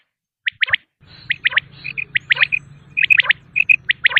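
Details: Quail voice for hunting in Pakistan: bright doubled and tripled clicking notes alternate with short whistled chirps, over a steady low hum.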